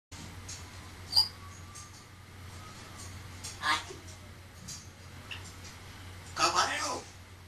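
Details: A talking pet grey parrot makes three short, speech-like bursts a few seconds apart, the last one longer and wordier, over a low steady indoor hum.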